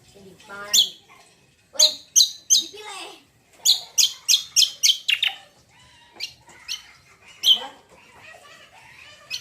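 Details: Greater green leafbird singing as a lure for other birds: varied phrases mixing warbled slurs and harsh, buzzy chips, delivered in quick bursts of four to six notes with short pauses.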